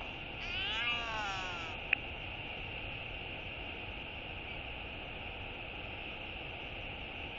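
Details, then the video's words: Northern royal albatross with a mature voice giving a morning skycall to greet the day as a parent lands nearby, recorded 5.7.22: one wavering, richly harmonic call lasting about a second and a half, over a constant roar of wind. "Royal Albatross ~ A Morning Full Of QT's Beautiful's Skycalls!"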